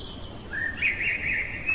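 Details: Blackbird singing deep in the night, a short mellow whistled phrase that lifts and wavers, followed by quick warbling notes, with a faint constant low rumble underneath.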